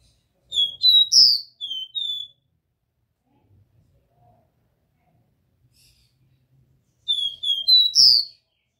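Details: Pure Dó Ré Mi song of the Copper seedeater, played to stimulate a captive bird. Two phrases of four or five sweet whistled notes climbing in pitch, about six seconds apart, with near silence between.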